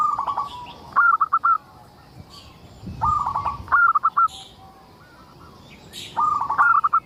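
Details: Actively singing local zebra dove, its song used to coax other zebra doves into singing: short rattling bursts of quick, clipped cooing notes repeat several times, with faint high-pitched chirping in the background.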